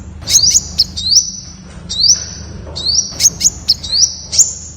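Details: Temminck's sunbird (Aethopyga temminckii) song: high, thin trilled phrases with sharp upslurred notes, repeated about every second in quick bursts, over a faint low background hum.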